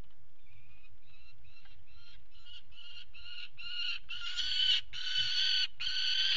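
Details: A peregrine falcon calls at the Axel water tower nest site, Netherlands, on 5 February 2018 during mating on the ledge. A rapid series of harsh, ringing notes, about one a second at first, grows louder and faster.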